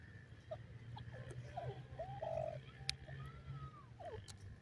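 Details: Chukar partridge (Iranian teetar) first-day calls: soft, short clucking notes and a drawn-out whistled slur, irregularly over about four seconds, above a steady low hum.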